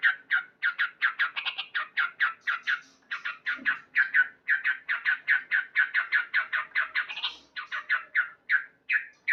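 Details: Male sooty-headed bulbul in loud morning song: a long, brisk series of short, slightly husky notes repeated rapidly, with occasional higher accented notes.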